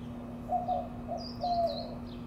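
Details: White-winged dove courting with a mating display in Mesa, Arizona, in April 2022, giving two quick pairs of husky coos while a higher bird whistles in the background over constant low hum.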